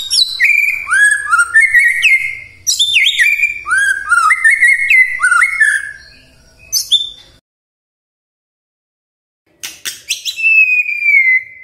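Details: Varied, loud white-rumped shama song used as a morning lure for silent shamas: rapid cascades of slurred whistles and chips, a long silence, then sharp clicks and a drawn-out level whistle.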